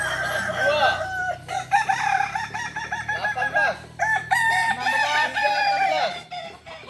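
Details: At a Solok practice gathering, Kokok balenggek cocks crow in a chorus of long, overlapping phrases of repeated arched notes, with loudness rising and falling as different birds take over.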